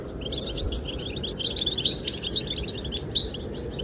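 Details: Chirping goldfinches, said to sing to attract a female, give a busy run of sharp high twitters and short trills that fade near the end, with wind roaring steadily underneath.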